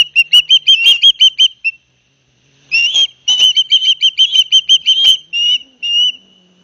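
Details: Father osprey bringing fish to two young at a nest at Barnegat Light, New Jersey, 9 September 2021, captured by live cam. Bursts of rapid, piping whistled notes stop for about a second, then resume in a longer run ending in drawn whistles.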